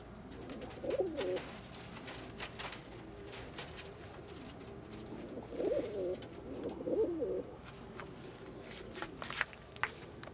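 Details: Male Old German Owl pigeons fighting for females; bursts of rolling, bubbling coos near the start and middle, separated by quieter stretches of scuffling, wing claps and sharp clicks indoors.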